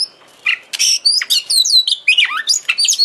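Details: Oriental magpie-robin (kacer) song meant to trigger singing and tail spreading: rapid run of loud whistled phrases, rising and falling slurs and buzzy chirps with little pause.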